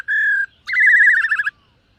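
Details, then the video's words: Black-throated laughingthrush in morning voice training, giving a steady clear whistle followed by a longer warbling, slightly falling whistle. "Khướu BẠC MÁ hót MÚA luyện giọng . Khướu hót sáng luyện giọng kích bổi"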